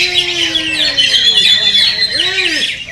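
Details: Greater green leafbirds in a simulated song contest: dense, fast streams of bright chirps and trills with several birds overlapping, plus lower sliding whistles underneath.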